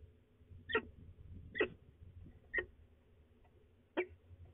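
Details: Peregrine falcon at de Mortel on 19 April 2020, 14:35; four sharp, clipped calls, each roughly a second apart with a longer pause before the last, over a low background hum.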